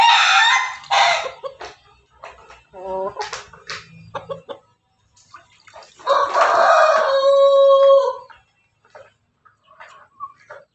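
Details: Ayam Ketawa rooster bathed at home so it will crow long. It gives a short harsh burst, then a sustained, wavering crow lasting about two seconds, with faint voices and scattered quieter clucks.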